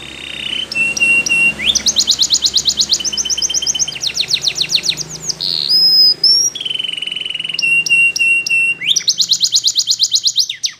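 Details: Belgian canary training song with varied tours. There are fast high rolls, steady low whistled notes, glassy rapid trills and one sharp high whistle, with pulses running roughly three per second. A low hum continues throughout.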